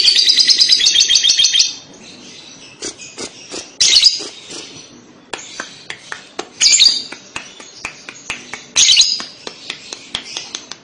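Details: Lovebird calls used as a lure to prompt young lovebirds to answer: a dense run of rapid high chattering chirps at the start, then scattered sharp squawky bursts and ticks over quieter gaps.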